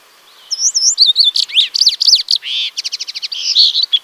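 Yellow canary singing a fast, varied song of bright whistled slurs, rapid trills and buzzy chirps, all high-pitched and continuous over four seconds.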